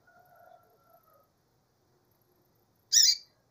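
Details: Calling female double-collared seedeater: soft low tonal sounds early on, then after a silent gap one sharp, loud, high-pitched buzzy call note near the end.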